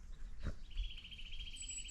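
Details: Eurasian Nuthatch calling in winter after an overnight snowfall on a calm, windless day, 8 February 2024; a fast, even trill of thin high notes runs for over a second, over a low rumble and a brief thud.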